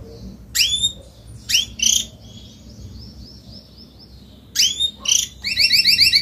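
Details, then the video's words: Adult Spanish Timbrado canary, salsa-coloured, just coming out of its moult and singing a lot: sharp high chirps and a soft wavering warble, ending in a fast, bright, repeated trill. "CANTO CANÁRIO SALSA ESPANHOL/ESPANHOLINHA"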